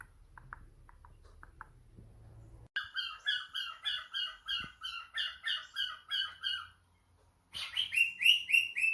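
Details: Pet cockatiel answering a phone call: faint low hum at first, then a lively run of quick repeated chirps, a short pause, and a final burst of higher, sweeping notes.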